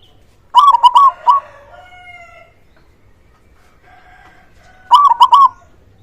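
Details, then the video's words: Local zebra dove, loud-voiced, meant to prompt quiet doves into song. Two bursts of rapid, stuttered cooing notes with a rolling ending, separated by a distant rooster's crow. "Perkutut lokal gacor suara besar"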